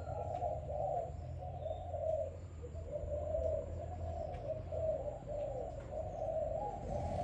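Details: Young Malaysian-type spotted dove, a selected bird kept around five days, cooing in a run of low muffled notes over a steady background hum.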